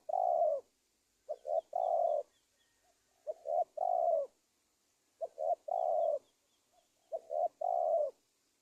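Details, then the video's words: Spotted dove coos used as a lure for trapping wild doves, targeting a single bird; repeated phrases of two short notes followed by a longer falling coo, about every two seconds, with faint high chirps of another bird in the background. "SUARA TEKUKUR PIKAT si BRANDALZ BUJUK BURUNG HUTAN"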